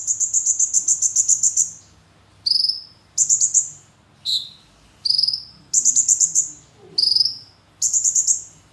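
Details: Konin singing a clear mimicked kemande phrase: fast high trills alternating with single downward-slurred whistles, each burst lasting about half a second to a second with short gaps.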